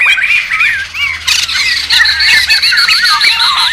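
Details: Rowdy laughingthrushes in the wild, a lure and tutor recording: looping whistled phrases over a steady buzzy, scratchy chatter, with sharp clicks and squawks repeating several times a second.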